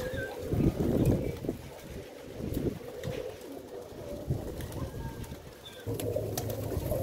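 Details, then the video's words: Pigeons cooing in low, throaty, rolling phrases that pulse in bursts, with a steady murmur of background noise throughout. "the sound of pigeon"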